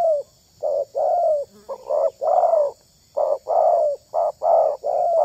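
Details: Spotted dove cooing as a lure for other doves: mellow low coos in short-long pairs, each long note sliding slightly downward, repeated at an uneven pace with brief silent gaps.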